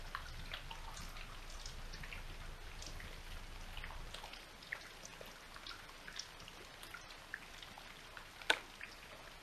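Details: Rain patters and drips throughout an early November morning, with scattered scattered droplet taps and no animal voice.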